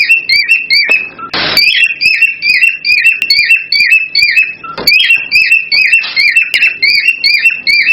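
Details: Excited cockatiel singing meant to stimulate mating: a fast run of clear whistled notes, each a short bending phrase, repeated about twice a second, with a brief broadband knock around the middle.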